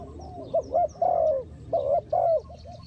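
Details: Spotted dove used as a decoy to lure wild doves during trapping; low, hollow cooing notes in a rolling phrase, several looped coos with a longer drawn-out note, some faint higher bird chirps behind.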